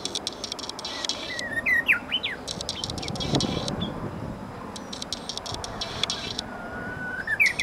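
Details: Japanese bush warbler in a camellia tree, Maizuru Park, 23 March 2020, with a song described as getting much better: quick jerky rising notes early, then a long steady whistle closing in a sharp flourish, amid constant buzzy chirping and faint traffic rumble.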